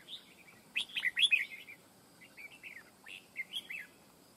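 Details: Decoy red-whiskered bulbul in a fight trap gives a loud cluster of rapid whistled and slurred notes, then softer rising-falling warbles and another short phrase near the end.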